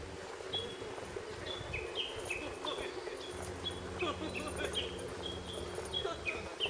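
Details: Hidden lesser cuckoo at Akiyoshidai in Japan, heard but not located, delivering rapid runs of clear whistled notes that step up and down in pitch. A soft background drone continues, with a few fainter bird notes mixed in.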